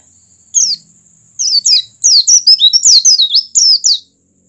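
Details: An Oriental white-eye sings quick, high, thin twittering phrases of rising and falling slurred notes, pausing briefly, then a rapid run of bright chirps; the recording is played to stimulate other white-eyes to sing.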